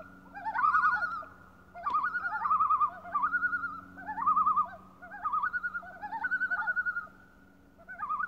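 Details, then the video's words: Common loon on Lake Beauvert near Jasper, Canada, giving rapid, quavering, laughing tremolo phrases, each under a second long and repeated almost back to back in uneven bursts, over a steady low hum and a faint constant tone. "Call of the Loon"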